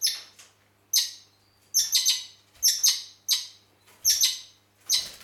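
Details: Heraklion, Crete: a red-rumped parakeet delivers loud, high, sharp chirps grouped in doubled bursts, spaced about every half to one second, with a faint low hum underneath.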